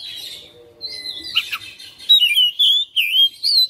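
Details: House-kept Oriental magpie-robin in persistent fighter-style song. Quiet twittering and scratchy notes lead into a loud, rapid series of clear, looping whistles, each lasting under half a second.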